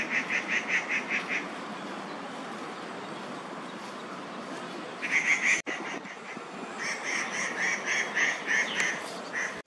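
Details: Crested goshawks, fledglings with mother nearby, in Daan Forest Park, morning of 4 July 2020; short bursts of rapid, harsh repeated notes open the stretch, a quiet pause follows, then further chattering runs resume after a brief click.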